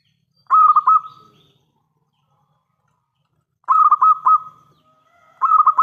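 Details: A local zebra dove, a keen and loud caller, used as a lure to draw replies. It gives repeated phrases of quick, throaty cooing pulses that merge into a trill and then fade, with long pauses between the phrases and a third phrase starting at the end.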